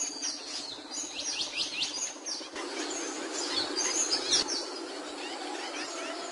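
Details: Capuchino seedeater singing: high, fast series of whistled, upswept notes and short trills, repeated quickly with varied phrases, over a steady background hiss.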